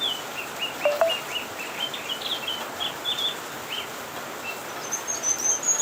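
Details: A cucak kinoi leafbird delivers rapid chirping phrases of brief high notes, some slurred up or down, with a thin high whistle near the end and constant hiss behind.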